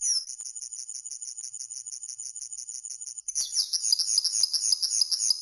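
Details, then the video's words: Common linnet song, a long run of thin high repeated notes that breaks into a quicker, varied twittering near the end. "Chant De Linotte"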